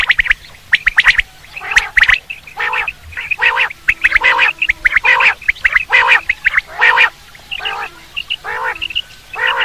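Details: Quail call used for hunting: loud, harsh, buzzy notes with strong harmonics, given in quick bursts about every half second to second, somewhat irregular, with faint background hiss.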